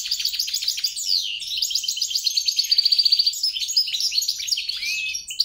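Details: Mule hybrid of European goldfinch and grey-crowned goldfinch delivering a continuous fast song of tinkling, twittering notes, with a run of evenly repeated chirps in the middle and a rising whistled note near the end.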